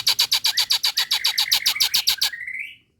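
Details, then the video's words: Female Nias hill myna calling a male: a quick, steady chatter of loud, high, clipped notes, around five per second, ending in a short upward-sliding whistle. "JALAK NIAS BETINA MEMANGGIL JANTAN"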